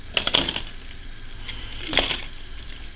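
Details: Sharp metallic clinks and taps, like coins or dishes knocking together, sound twice in a small room, with no animal voice.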